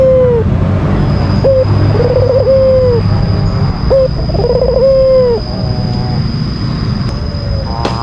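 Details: White albino Barbary dove, a kept bird, calling to provoke a rival: a short clipped note, a brief rolling trill, then a long steady coo falling at the end, repeated twice, with a thin steady whine behind.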